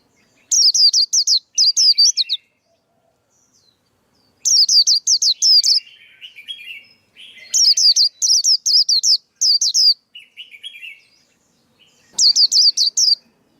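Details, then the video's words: Lure and training song of a male white-eye: four bursts of rapid, high, bouncing whistled notes separated by short pauses, with lower buzzy twitters between some bursts. "Tiếng chim khuyên kích bổi, kích trống, luyện giọng bổi, bẫy khuyên"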